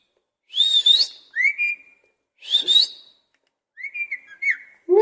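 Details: Parrot in a cage alternating short harsh buzzy squawks with level whistled notes, each phrase separated by a second or so of quiet.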